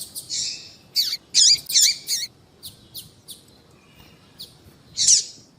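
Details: Female double-collared seedeater calling to attract males: a cluster of four loud, harsh high chirps, then faint scattered ticks, and one final buzzy note near the end.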